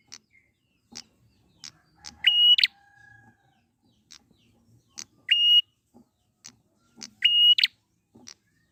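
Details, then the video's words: Prinia in the wild, played as a lure to make birds sing. Clicking ticks lead into three long level whistles, each closing with a harsh buzz, about every two and a half seconds. "pancingan prenjak gacor alam liar"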